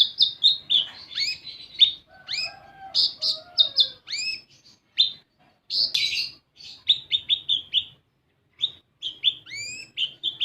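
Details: Sunbird (kolibri ninja) lure song meant to set young birds singing. Dense, fast, high twittering mixes sharp chirps with rising whistles, nearly continuous apart from one clear gap late on.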